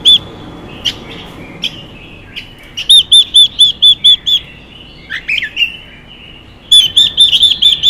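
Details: Female Chinese hwamei singing to stimulate males, bright whistled notes repeated quickly in runs of five to seven, with scattered short chirps and pauses in between.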